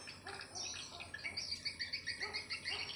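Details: Swiftlet call: a rapid series of high chirps and twitters with bright short notes repeated several times a second, layered over a steady faint background hiss.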